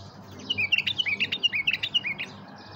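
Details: Tame bulbul call used to lure and stir other bulbuls: a rapid string of bright, warbled whistled notes, short rising and falling phrases packed closely for about two seconds, clear over a quiet background.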